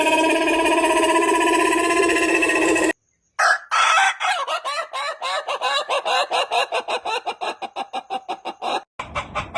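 A rooster holds a long, even, harmonic crow for about three seconds, then breaks into a fast run of short, stuttering, clucking notes, several each second.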